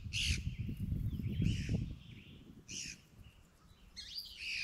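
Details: Magpie-jays on a hillside give four harsh, scratchy calls at irregular intervals among other birdsong. Beneath is a steady low rumble of wind and the footsteps of people walking while tracking cows.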